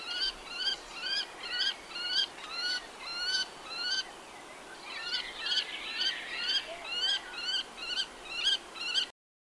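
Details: Common kestrel calling with repeated harsh, bent whining notes about twice a second, a tangled burst of overlapping notes in the middle, then more evenly spaced calls; constant faint hiss behind.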